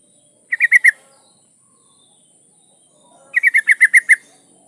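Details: Female yellow-vented bulbul in breeding condition calling for a male, giving two fast bubbly runs: four quick notes, a two-second pause, then seven rapid chattering notes. A steady high hum sounds underneath.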